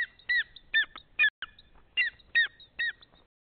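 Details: Rapid run of clear, ringing yelps from a greater spotted eagle, Nizhnyaya Kama National Park, 14 April 2020, just after nine in the morning; about eight notes with a short pause midway.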